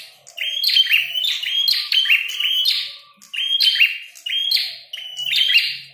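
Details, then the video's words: Vigorous fighting song of a red-headed prinia: strings of loud, shrill chirps delivered in quick bursts, four phrases over six seconds, with faint low murmurs beneath. "Prenjak tarung gacor | prenjak kepala merah"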